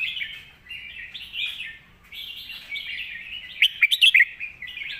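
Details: Red-whiskered bulbul, a competition bird, giving a thick-voiced master song of flowing, slightly rising warbled phrases with short gaps, broken near the end by a rapid volley of sharp, piercing notes.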